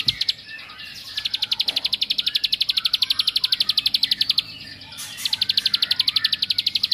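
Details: Rattling ngebren song of a bar-winged prinia, used to stir up rival birds: a long, fast series of sharp, high clicks with one short break before the trill starts again.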